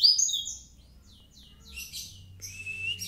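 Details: Mountain white-eye from Kintamani in full 'gacor' song: a bright, high twittering burst at the start, then softer scattered chirps and a short thin whistled note near the end.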